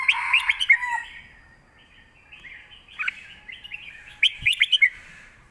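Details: Caged red-whiskered bulbuls in a song duel, southern master-style song: fast chattering warble at the start, a softer middle passage, then a quick run of five bright notes near the end.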